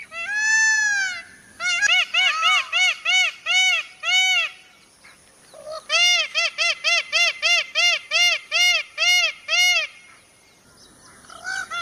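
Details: Peacock calling outdoors: one long drawn-out wail at the start, then two series of short, loud, nasal honking notes repeated about three times a second, with a quiet gap between the series.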